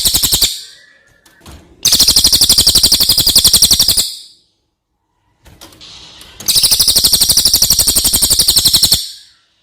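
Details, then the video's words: Two long ringing trills, each around two to three seconds, from a brown cililin, a bird from outside Java kept as a master singer: rapid, steady, piercing high notes rolled together, with silence and a faint rustle between. "Suara burung cililin buat masteran"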